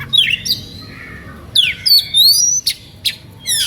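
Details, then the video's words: Oriental magpie-robin giving an excited song aimed at goading rivals to sing; sweeping slurred whistles, a long rising whistle, and rapid harsh notes in quick succession. "SUITAN KACER NGEPLAY EMOSI MEMANCING LAWAN IKUTAN BUNYI"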